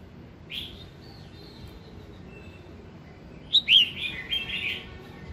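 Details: Red-whiskered bulbul morning song used to prompt other bulbuls to sing: a faint whistled note early, then a bright burst of warbled, slurred phrases near the end over a soft steady background hiss.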